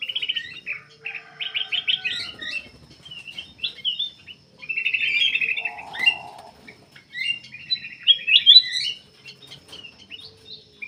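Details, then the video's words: Black-capped bulbul in full, persistent song, used to lure other birds into singing: rapid chattering trills and bright whistled notes in bursts, broken by a short low buzzy passage midway. "KUTILANG EMAS \ CUCAK EMAS GACOR FULL GACOR sangat bagus buat pancingan \ pikat"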